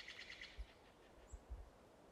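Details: Mountain chickadee, described as Western, being fed off-grid; a quick run of four high chirps near the start, then faint low thumps and a single thin note, over steady background hiss.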